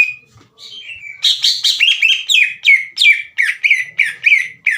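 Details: Greater green leafbird in a cage, singing full and hard to provoke other leafbirds into fighting. Opens with a drawn-out falling whistle, then about a dozen rapid buzzy, downward-slurred notes in an even, driving sequence.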